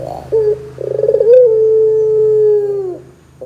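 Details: Barbary dove cooing to prompt other doves to answer: a brief low note, then a rapid rolling, pulsing phrase that runs into one drawn-out hollow coo slowly sinking in pitch.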